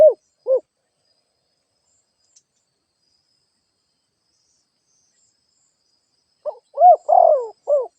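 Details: Spotted dove used as a lure bird, cooing: two short coo notes, then a long silence, then a burst of four quick cooing notes, clean with no other sounds.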